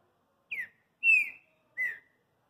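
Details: Green-winged saltator, a kept bird, singing a lot: three loud clear whistles, the first sliding downward, the second a long level note, the third a shorter lower level note, each separated by about half a second of silence.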